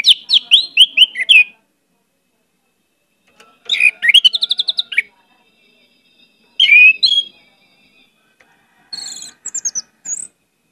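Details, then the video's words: Orange-headed thrush in vigorous song full of varied imitations: four separate bursts of fast descending whistles, chatters and high thin notes, with pauses between them. "pancinagan anis merah gcor banyak isian"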